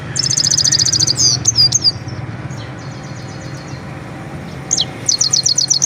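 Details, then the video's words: Song of a Himalayan goldfinch, a rapid run of thin high twitters and sliding chirps in bursts separated by quieter gaps, over a constant low background hum. "himaleyan mast saira singing"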